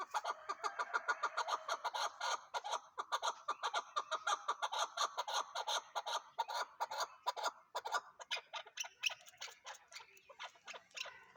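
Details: Chukar partridge in full cry: a loud, rapid stream of throaty chuck notes, several each second, slowing slightly and loosening in rhythm near the end.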